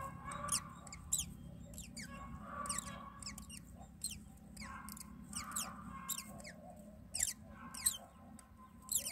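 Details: Nestling mynas being fed by their mother call with repeated high, sharply falling squeaks and some lower chattering notes, in clusters every second or two, with a faint low hum beneath.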